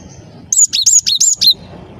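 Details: Cinereous tit in lively song, one short phrase of five clear, high, bright two-part notes delivered rapidly in about one second, with a soft low hum before and after.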